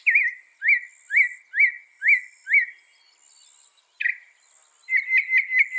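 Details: Northern mockingbird, famed for mimicking 200 sounds, as a songbird training recording: a clear upslurred whistle repeated five times at steady intervals, a pause, then a new brisk chirping phrase, high insects faint behind.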